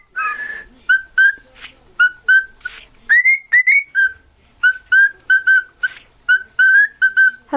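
A cockatiel whistles a tune of clear, short notes with a few harsh chirps mixed in.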